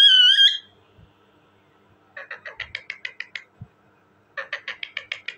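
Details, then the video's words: Talking parrot: one wavering whistled note, a silence, then rapid runs of short clipped chattering notes, about eight per second, in two bursts. "talking parrot bird,parrot ki awazz"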